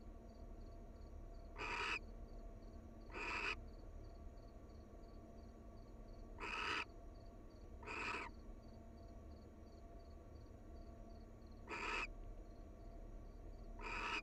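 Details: Paired wild barn owls at their nest utter brief, breathy rasping hisses, spaced irregularly, some in pairs, with long quiet gaps and a faint high pulsed tone throughout.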